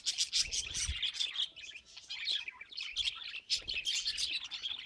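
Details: Continuous chirping and warbling from pet budgerigars, a dense stream of high twittering notes with scratchy clicks and occasional low thuds.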